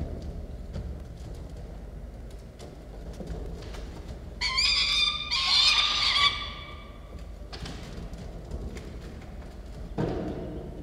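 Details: Two peregrine falcon chicks at the nest: after quiet rustling and soft knocks, a pair of loud, grating, harmonic wails bursts out for about two seconds, then fades back to faint background sounds and a brief thump.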